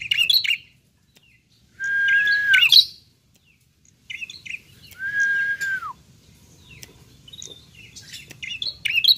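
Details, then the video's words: Young bar-winged prinia, apparently kept as a caged bird: clear whistled notes sliding downward, mixed with short scratchy chirps and bursts of twittering separated by brief silences; low background rumble. "BALUNGAN CILIK PRENJAK"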